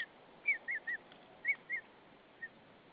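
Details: Female white-tailed eagle at the nest in Saunja, Estonia, calling to her mate as he brings hay, 20 March 2013, evening; bright high looping yelps, about one a second, in loose pairs, fading to one last note.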